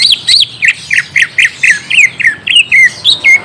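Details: Lure song of a greater green leafbird, meant to make a young wild-caught bird reply: loud, squeaky slurred notes repeated about four times a second, some falling, some rising, with clean quiet background.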